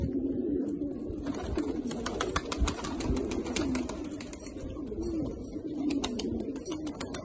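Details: A loft of rare Australian pigeons gives low, rolling coos in repeated swelling phrases, with many sharp clicks and taps scattered through.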